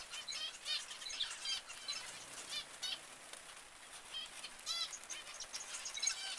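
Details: Zebra finches calling in a group: a busy chorus of short, nasal, repeated beeping notes overlapping throughout, with steady soft background hiss and occasional wing flutters.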